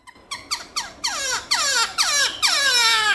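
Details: Black-throated laughingthrush singing loud wild-style song with many voices. A rapid run of harsh, richly overtoned downslurred notes, about two per second, blurs into a continuous, strident stream.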